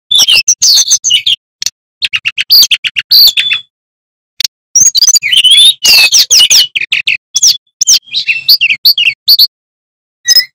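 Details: Male Sikatan Bambu flycatcher, also called Sulingan Pring or Tledekan Gunung, in loud full song used as a master for training young magpie-robins: rapid, varied high chirps, trills and whistled slurs in bursts separated by brief pauses.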